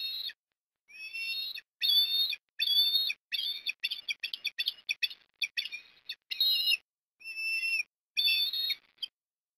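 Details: Osprey at a Port Lincoln nest in Australia, October 2021, in the afternoon while food is delivered. A rapid, excited series of shrill whistled notes, some long and some clipped short, pours out almost without pause.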